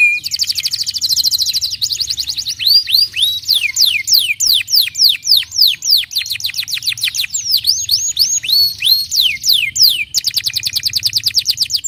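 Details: Canary song used to prompt other canaries to sing: fast, continuous high trills and repeated rapid whistled sweeps, rolling without pause, with a low steady hum beneath.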